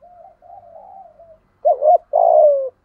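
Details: Spotted dove kept as a lure bird, singing in the 'giọng thổ' voice style: soft low murmuring coos, then a loud quavering double note followed by a long, drawn-out falling coo.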